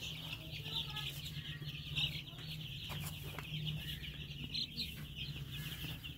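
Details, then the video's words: A crowd of baby chicks peeps nonstop, high and shrill, their calls overlapping into a continuous chatter over a steady low hum. "BABY CHICKS SOUND"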